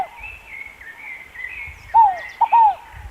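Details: Scaled dove, called fogo-apagou, giving one short phrase of soft descending coos, a single note then a close pair, over a steady wash of thin high bird trills.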